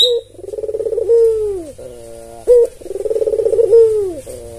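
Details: Albino red-eyed tame Barbary dove used as a lure: two calls, each a clipped opening note followed by a throbbing rolled coo that glides downward at the close.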